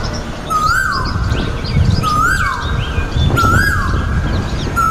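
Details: Two male Asian koels singing and fighting in a garden in India: a clear rising-then-falling whistled note repeated about every one and a half seconds, with other birds chirping high and fast and steady low background rumble.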